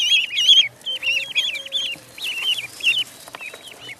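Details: High, shrill duckling peeps at a pond, clear looping notes delivered in fast uneven strings, near-continuous across the few seconds, with faint low tones beneath.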